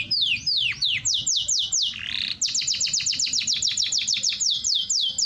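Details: Canary song meant to stimulate hens to mate and to train listeners: a series of sharp, falling whistled syllables, a short buzzy break, then a long, evenly spaced volley of quick descending notes.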